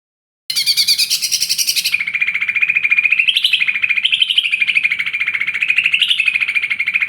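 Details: Lesser green leafbird, a small fighter-type bird, singing a long unbroken run of rapid, buzzy chattering notes that weave up and down, opening with a harsh burst before settling into wavering trills.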